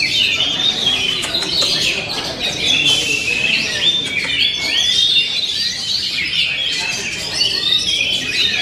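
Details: Kacer, the oriental magpie-robin, delivering its 'ngent'-style song: rapid high whistles and sharp chirps tumbling together, with a brief harsh burst near the middle and steady intensity to the end.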